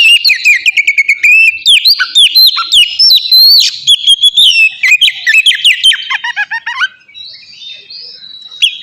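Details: Vigorous ngeplong song of an oriental magpie-robin, played to spur caged birds to sing: a dense, continuous stream of sweet whistles, sharp chirps and downslurred notes, fading to softer drawn-out tones near the end.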